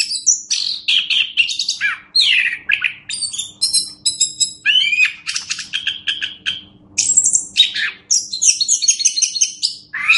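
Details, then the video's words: Orange-headed thrush master song for teaching other birds, a long unbroken stream of rattling trills, sharp chips and high whistled notes, varied and rapid throughout. "Masteran Anis Kembang"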